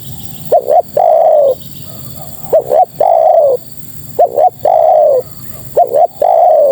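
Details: Female spotted dove calling to males, phrase repeated four times about every 1.8 seconds: two quick hooked notes followed by a long, slightly falling mellow coo.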